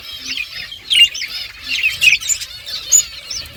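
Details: Several pet budgerigars eating seed, giving a stream of short warbled chirps and squeaky notes, some rising and falling quickly, with soft bursts of louder chatter about once a second.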